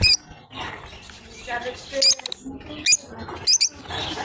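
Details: Two lovebirds playing, giving scattered, shrill squeaking chirps, some doubled, roughly every half second to second, between quieter stretches with faint low murmuring.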